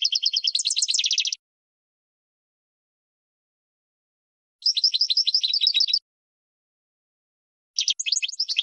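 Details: Goldfinch song used for training birds to sing: three separate bursts of fast, buzzy rattling trills with twittering notes, divided by several seconds of silence.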